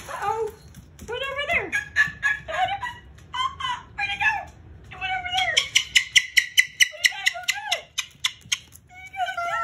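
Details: Pet Moluccan cockatoo singing indoors while its owner talks back; a varied run of whistled and harmonic rising and falling notes, then a burst of fast, evenly pulsed notes, closing with short upward whistles.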